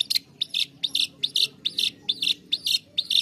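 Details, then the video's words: Long-tailed shrike giving harsh, scratchy two-part phrases, each a sharp note then a buzzy burst, about twice a second; a recording meant as therapy to prompt shrikes that are reluctant to sing. "SUARA CENDET UNTUK TERAPI CENDET MALAS BUNYI"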